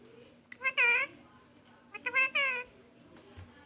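A parrot gives two drawn-out, meow-like calls, mimicking a cat's voice.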